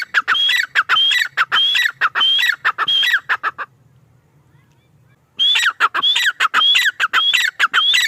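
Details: Male grey francolin's ringing call. A rapid run of whistled-then-harsh phrases, about two per second, breaks off into a few seconds of quiet, then resumes at the same pace.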